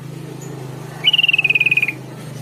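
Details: Sooty-headed bulbul used as a lure so wild and kept bulbuls reply. One fast, evenly pulsed trill lasting almost a second descends gently in pitch against a hissy background with a low constant drone.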